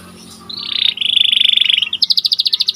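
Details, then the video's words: Panda-coloured white canary, a training recording in the Indonesian kenari gacor style, singing in one spot: a bright high warble, then a fast buzzy trill, then rapid repeated high chips. The recording is clean, with no other sounds. "Kicauan Burung Kenari Panda Gacor Di Satu Titik"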